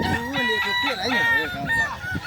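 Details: Balenggek roosters at a crowing competition at Danau Bawah, Solok Regency, on Sunday 6 October 2024. Overlapping harmonic crows rise and fall in arched, stepped phrases, with several birds calling at once and faint voices behind.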